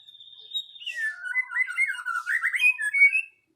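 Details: White-rumped shama song: a steady high whistle drops into a rapid run of warbled, up-and-down notes that grows louder before ending abruptly.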